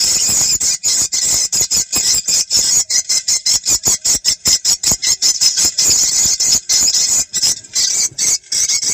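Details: Swiftlet call for checking a site, meant to be played from a phone or portable speaker in the morning or late afternoon, best when the sky darkens: dense, high, rapid chirping bursts that stop and restart in quick succession.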